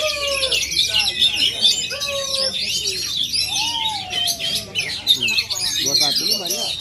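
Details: Oriental magpie-robin originally from Aceh, performing: a dense, unbroken outpouring of varied high warbles, chips and trills, with lower slurred whistles sliding beneath.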